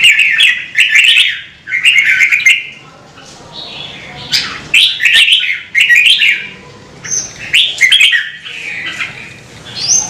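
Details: Red-whiskered bulbul singing steadily with many rich, rolling, warbled phrases spaced about a second apart. A thin high whistle appears near the end, along with frequent sharp clicks.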